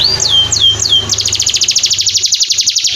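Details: Three clear, sweeping downward whistles from a canary, then a fast, even trill of bright pulsed notes, recorded as an Indonesian masteran song for training birds, with a low steady hum beneath.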